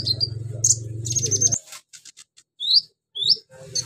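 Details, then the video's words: Caged sunbird song rich in mimicry of cililin, crickets, golden grasshoppers and chicks: high slurred whistles and a buzzy rattle over low humming, then after a pause two clear rising whistles. "KONIN BANYAK ISIAN CILILIN, JANGKRIK, BELALANG EMAS, ANAK AYAM"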